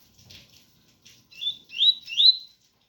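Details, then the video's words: Double-collared seedeater singing tui-tui style with rain sound: light patter, then three rising whistled slurs growing louder, the last longest. "Coleiro ganga 001 entre tui tui puro com som de chuva"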